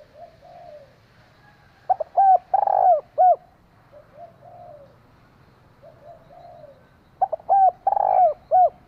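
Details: Decoy female spotted dove calling to excite a male. Two full phrases of short clipped notes, a long rough purring coo and a closing note, with soft low murmuring coos in between.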